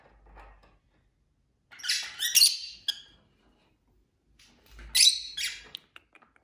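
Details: Two bursts of screechy, rasping chirps from pet lovebirds kept as a group indoors, each burst lasting about a second, with near silence and faint taps between.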